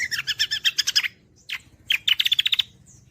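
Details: Cucak kombo (greater green leafbird) in gacoran style for songbird training: a steady rapid trill of repeated notes lasting about a second, a pause, then another quick chattering burst, over a low hum.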